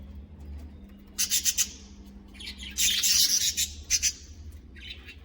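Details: Budgerigars in a caged colony with a nest chatter in bursts of high, scratchy chirps and warbles, several birds overlapping in quick runs with short pauses between, over a low hum.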